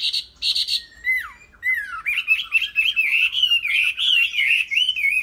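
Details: Chinese hwamei, a caged Vietnamese songbird, opens with two harsh buzzy notes and two downslurred whistles, then breaks into a fast, continuous warble of wavering, looping whistles.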